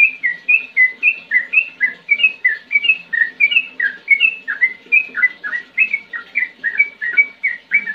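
A bulbul pours out a fast, bubbling run of liquid whistled notes, about three per second, rising and falling without pause; faint background murmur underneath.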